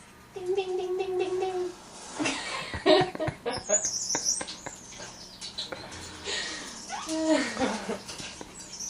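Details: Pet female African grey parrot imitating a firefighter indoors in a small room. Steady, ringing, bell-like tones give way to a jumble of squawks, voice-like sounds and human laughter.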